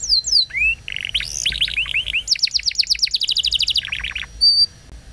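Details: Canary lure song to get other canaries singing: high falling whistles, a series of bouncing upswept notes, then a fast even trill of short chirps sliding lower, ending in a single flat whistle.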